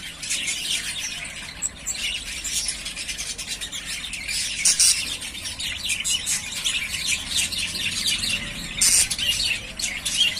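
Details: Three pairs of yellowface spangle budgerigars, ready to breed, chatter steadily with overlapping high chirps, rasps and warbled phrases, punctuated by a few sharper squawks.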